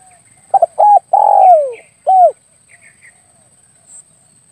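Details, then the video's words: Spotted dove coo used as a lure for dove hunting: rapid doubled hoots, a drawn-out coo gliding downward and a crisp closing hoot. A few faint higher chirps follow, and a thin steady high whine persists. "SUARA PIKAT BURUNG TEKUKUR/DERKUKU"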